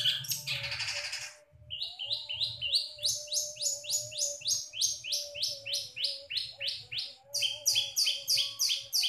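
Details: Long-tailed shrike singing energetically with a full repertoire of mimicked songs: a brief harsh burst, then rapid runs of high, sharp, rising chirped notes repeated about three per second, with a steady low hum throughout.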